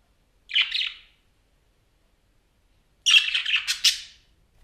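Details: Chattering parakeet in a quiet setting: a short grating squawk, then silence, then a longer burst of raspy, rapidly varying chirps and squawks.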